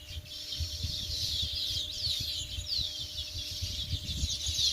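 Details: A flock of sparrows twittering nonstop, high chirps and quick downward-slurred notes crowding together, with low rumbling background noise throughout.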